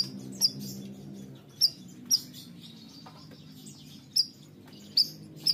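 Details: Bayeman, a bird in lively song: six short, sharp, high chirps spaced unevenly over a few seconds, each a quick downward flick, with a faint low hum underneath.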